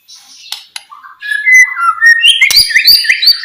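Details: White-rumped shama song for rousing quiet birds to sing: a few faint notes lead into a rising chain of whistles, ending in fast, loud, twittering phrases.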